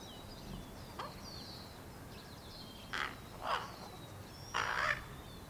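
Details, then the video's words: Fledgling common ravens, hatched April 1st 2022 and out of the nest by May 15th 2022, an impatient one calling while awaiting food from its parents: three raspy, harsh calls in the second half, the last one longest, amid thin chirps of other birds. "Baby ravens making noises"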